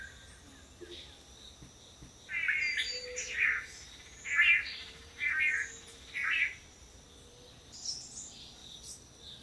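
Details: During courtship display by paired male long-tailed manakins at a Costa Rican lek, a quiet start gives way to five loud, buzzy, nasal notes about one second apart, then a fainter one.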